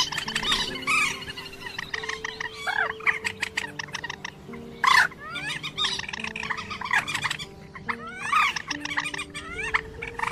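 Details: Quốc biển sea bird calls from an August 2020 lure recording used to net birds at night: loud, harmonic, nasal calls with quick rising and falling sweeps, several overlapping in bursts, over steady low electronic tones.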